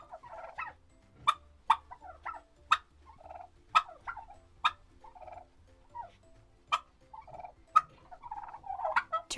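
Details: Turkey gobbling in short, sharp bursts, about one a second, with rough gurgling notes in between and a low hum underneath.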